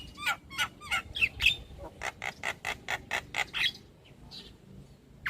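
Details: Black-winged myna song played as a lure sound to get stressed, silent birds singing again: a run of harsh, squawky broadband notes repeated about twice a second, fading into softer scattered calls.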